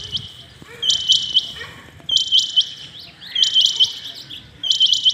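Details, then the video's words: Rain quail calling early in the morning: four dense bursts of rapid, high, metallic notes, each burst about a second apart and evenly spaced, strong and close. "Rain quail calling 2021 | common quail calling early in the morning | چنگھا بٹیر کی زبردست آواز"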